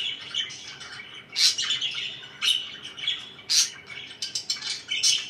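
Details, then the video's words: Companion budgerigars indoors give a soft running twitter punctuated by louder sharp chirps about once a second, some notes thin and whistled. "LIFE WITH MY BIRDS (4K WATCH HOUR)"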